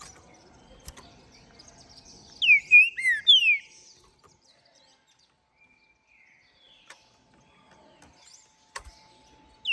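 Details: After its moult, a captive-bred, ringed green-winged saltator of the Minas Gerais trem bala line gives a loud whistled phrase of several downslurred notes early on, then near silence with occasional ticks.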